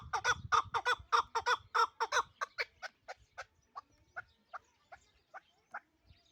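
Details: Dushanbe chukar partridge of the Pamir hunting type: a loud burst of quick, clucking chuk notes over low rumble, then the notes slow, space out and fade to soft, single calls toward the end.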